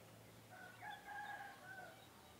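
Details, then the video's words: Rooster, a male of an egg-laying chicken type, whose crowing usually comes in the morning to mark the start of day. A fairly faint, drawn-out harmonic crow of about two seconds rises in stages and holds steady before trailing off, over low background hum. "SUARA KOKOK AYAM PEJANTAN // the sound of a rooster crowing"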